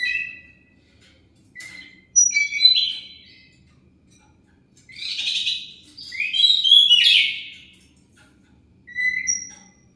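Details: Oriental magpie-robin singing as a lure meant to draw replies from other birds. Varied phrases of clear whistles, sliding notes and dense buzzy trills come in several separate bursts with short pauses between them.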